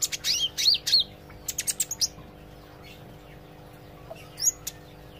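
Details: Olive-backed sunbird learning gacor and ngobra singing: an opening burst of bright sweeping whistles and buzzy twitters, then a row of short high ticks, a pause, and a last pair of thin notes; steady low hum behind.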